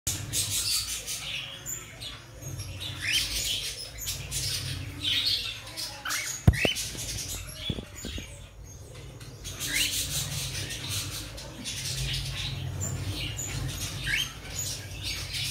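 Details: Cockatiel (Nymphicus hollandicus) chick, 25 days old, begging for food: harsh, raspy begging calls in a steady stream of wheezy bursts.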